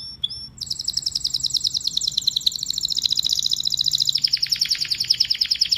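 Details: Canary singing: after a few opening chirps, a long, even, rapid trill of high rolling notes runs on steadily, then shifts to a slightly lower, throatier roll near the end.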